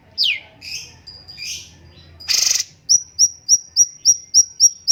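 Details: Stripe-throated bulbul, known locally as cucak cungkok, singing: high whistled notes and a steeply falling sweep, a brief harsh burst, then a fast run of short sharp chips repeated about four times a second.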